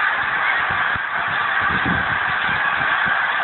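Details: Thousands of geese erupting into flight from a frozen New Jersey lake at Pemberton on 19 December 2010, a thick continuous clamour of honking with scattered soft wing thumps.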